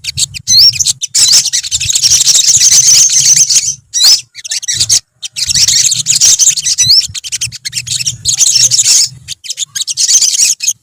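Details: A colony of olive-backed sunbirds in full, steady chorus: shrill high-pitched twittering and trills pouring out in long overlapping bursts, broken by two short pauses, over a faint low hum.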